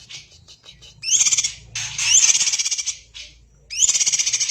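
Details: Greater green leafbird in full, dense song said to resemble a magpie robin's: bursts of rapid buzzy chattering trills with sharp rising whistles, separated by short pauses and fainter clicks.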